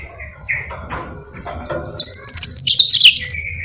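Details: Yellow-fronted canary kept for tutoring other birds: soft low scratchy notes at first, then a loud rapid run of high twittering whistles for the final two seconds.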